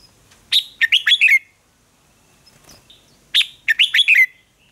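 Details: Two identical red-whiskered bulbul contest phrases, each a fast, liquid string of five bouncing whistled notes ending in a downward slur, spaced about three seconds apart in an otherwise quiet setting.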